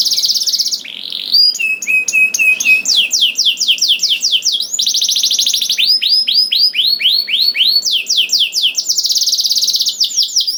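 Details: Canary song to encourage other canaries to sing: continuous chain of trills, buzzy rolls and repeated falling whistles changing every second or two, bright and high.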